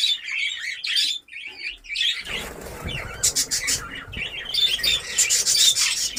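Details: Breeding-colony budgerigars in Darbhanga, Bihar, India, chattering in high rapid chirps and warbles, with a brief dip in volume before the crowded twittering resumes, some faint low background noise.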